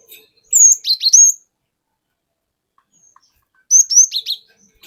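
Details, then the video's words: Wild-caught cinereous tit singing wucit wuit lure phrases: two short, high whistled-chirp phrases about three seconds apart, each starting with a rising whistle, with silence between them. "Pancingan Burung Glatik Batu Bahan Hutan Auto Ngeplong Wucit Wuit Ngerol Panjang"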